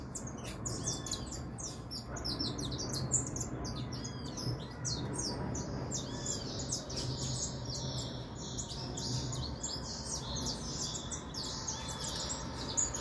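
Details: Saffron finch singing with energy, a vigorous run of high, sharp chirps and short trills repeated across the whole stretch over a steady low rumble.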